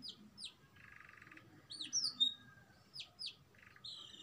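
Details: Canary trained in a black-throat and prinia mix; scattered high whistled notes swooping downward, short buzzy rattles and sharp chips, with quiet gaps between phrases.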